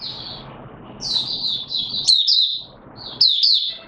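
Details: White-eye song not yet in full condition: a few high, thin twittering phrases with sharp upward flicks over a steady low background hum.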